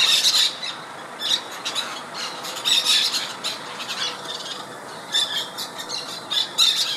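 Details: A colony of over 20 White-winged Parakeets (Brotogeris versicolurus) feeding and preening in a mango tree in Miami, Florida gives harsh, high, shrill squawks in irregular overlapping bursts, with short gaps between flurries.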